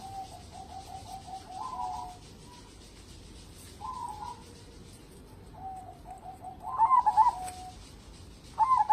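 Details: Local zebra dove used as a lure for other singing birds: series of soft, quickly trilled low coos, then louder rippling phrases near the end, over noticeable steady background hiss.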